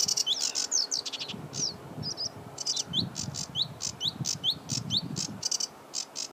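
A sedge warbler's hurried, unbroken song mixes harsh buzzy churrs with quick high whistled slurs. A low rumble of wind or distant traffic runs underneath.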